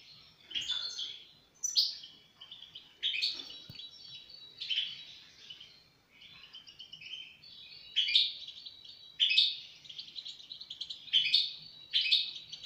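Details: European goldfinch singing in short, bright bursts of sharp, high chirps and twitters at irregular intervals over a faint background hiss.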